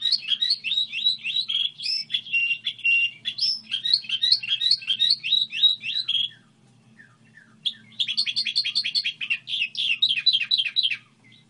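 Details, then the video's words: Goldfinch hybrid delivering a song model: long runs of rapid, high, slurred twittering notes, a brief pause near the middle, then another fast twittering burst, with a faint low hum underneath. "Hibrid sticlete ,model de cântec (Goldfinch hybrid)"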